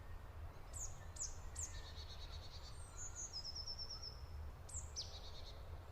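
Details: Golden-fronted leafbird singing: high, thin whistled notes sliding sharply downward, short fast trills and a rapid stuttering run, delivered in separate bursts over steady low background rumble.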